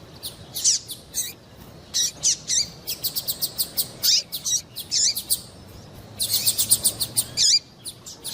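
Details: Calls of a female double-collared seedeater meant to excite a male into song: many bright, high chirps in bursts, some falling sharply in pitch, with quick runs of notes and brief gaps.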